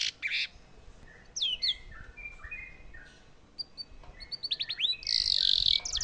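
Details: Canary song phrases for tutoring White-rumped shamas. Scattered short slurs and chirps separated by pauses build into denser upswept notes and a bright trill at the end, over light background hiss.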